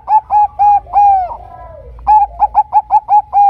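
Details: Bangkok zebra dove lure song, intended to prompt other zebra doves to sing: a few short coos and a long falling note, a pause, then six quick coos ending in a longer sliding note.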